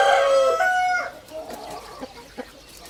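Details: A rooster crows once in a loud, harmonic call that steps down in pitch over about one second, then fades into quiet background with a few faint knocks and clucks.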